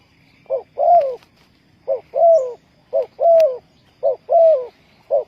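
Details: Spotted dove coos, used to lure wild doves for trapping. Each pair is a short rough note followed by a longer, slightly falling coo, repeating steadily about once a second, five times over, with a quiet background.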